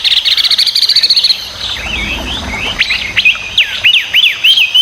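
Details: Chinese hwamei song opening with a fast buzzy repeated trill, then a sequence of loud whistled notes leaping up and down in quick succession.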